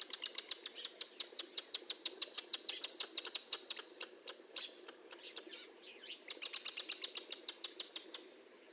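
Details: Northern jacana in the wild, in a scene with a chick hatching and a male brooding chicks under his wing: rapid series of sharp, clicking chirps repeated about five times a second, in bursts with short pauses.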